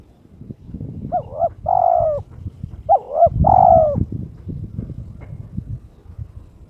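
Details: Turtle dove, kept caged and in breeding condition, challenging a rival with two phrases, each a short doubled coo leading into a long level coo, against a low rumbling background.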